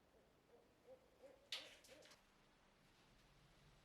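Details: Barred owls in the background of a workshop axe restoration hoot faintly in a quick run of low, mellow notes, and a sharp clatter of work noise cuts through midway.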